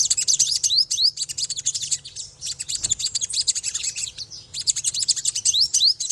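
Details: An olive-backed sunbird delivers ngriwik-style twitter, packed high trilling chirps with clear upward-slurred whistles, broken by a short pause around three seconds, with one soft low thump and a low background hum.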